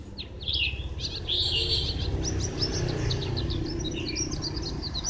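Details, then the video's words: Recorded at Phù Yên on 02/10/2015, a white-eye twitters in thin, high, scattered notes and short squeaky trills, partly masked by a constant low droning noise. "Chim vành khuyên hót rất hay"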